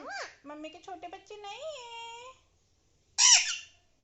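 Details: Alexandrine parakeet mimicking speech indoors: rapid harmonic syllables sliding up and down for about two seconds, a pause, then one loud harsh squawk.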